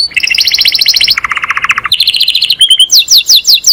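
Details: Master canary song: a bright high trill, then a lower rolling trill, a return to the higher one, a short whistle and quick downslurred notes at the end.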